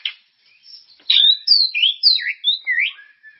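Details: Lure song of a White-rumped shama (murai), meant to spur caged birds to sing: a string of bright, quick whistled notes sweeping up and down, some sharp and high, delivered in rapid succession.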